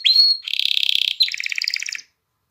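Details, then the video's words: Song of a canary used to rouse females for breeding and teach young birds to sing: a rising pure whistle, followed by a dense rattling roll, then a second bubbling trill of quick, evenly spaced notes. "تغريد كناري نار لتهييج الإناث على التزاوج وتحفيز الفراخ على التغريد"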